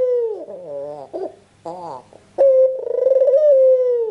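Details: Persistent cooing from a red-eyed white (albino) Barbary dove, meant to stimulate quiet doves into calling. Soft wavering, quavering notes and brief breaks are followed by a loud sustained coo that throbs in quick pulses, then tails off gently downward.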